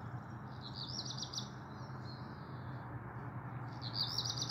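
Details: A black redstart greets a warm, sunny morning of 22 June 2022 (up to 27 °C), singing a high, scratchy, rattling two-second phrase with another beginning, over a low rumble from a leaf blower and an odd squeaking.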